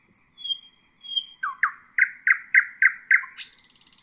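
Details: Nightingale Husayna song for training young birds, with thin high whistles giving way to about seven evenly spaced repeated notes and a sudden high buzzing finish.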